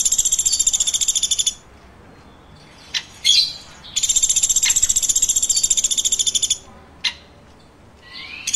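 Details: A woodpecker gives a shrill, fast-pulsed trill, then sharp taps and a squeaky burst, a second long buzzy trill, and a faint rising note at the end.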